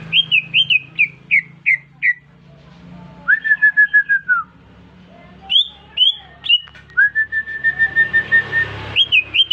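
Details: Greater green leafbird, a caged bird newly bought, singing in response to whistling: a run of bright descending chirps, then long steady whistled notes held at one pitch, more quick slurred notes mixed in, fairly loud and clear.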